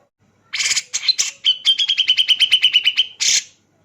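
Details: Grey-cheeked Bulbul male with intense, rapid song. Raspy opening bursts lead into a long even trill of about twelve bright clipped notes, ending on one loud harsh burst. No background noise.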